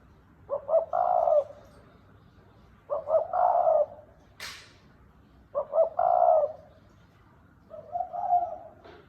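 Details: Four cooing phrases from a red collared dove, in the 'thúc bổi' and 'gáy gù' styles. Each opens with two clipped notes and then holds a longer mellow coo. A brief sharp click is heard between the second and third phrases.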